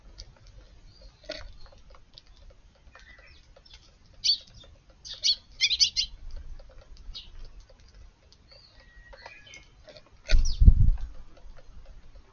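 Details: Young Eurasian tree sparrows in a garden on a quiet morning, 16 June, give short, bright chirps, singly and in quick bursts of two or three, over a low background rumble with one dull thump.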